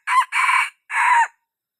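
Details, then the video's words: Wild red junglefowl crow in three strained, raspy segments, a short opening note, a longer middle note and a drawn-out ending, with clear silence after. "Suab qaib qug qua zoo"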